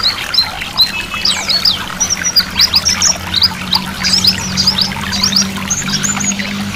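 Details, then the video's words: White-eye twittering song combined with flowing water as singing therapy; high rapid chirps and thin whistles, some sustained, over running water with a faint low hum. "Terapi pleci 100% mempercepat pleci buka paruh."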